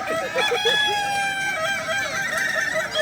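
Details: Crowing contest of Kukuak Balenggek chickens at Danau Bawah, Sunday 6 October 2024: a rooster gives a quick run of short, bouncing stepped notes, then a long steady tone, with other roosters crowing behind it.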